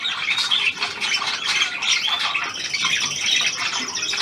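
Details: Hand-tame Australian pied budgerigar, newly arrived, indoors; dense scratchy warbling chatter with squawky notes, continuous throughout, a man talking to the bird nearby.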